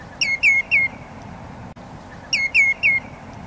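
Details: Greenshank calling: two bursts of three loud, slightly descending whistled notes, each burst about half a second long, over faint background noise.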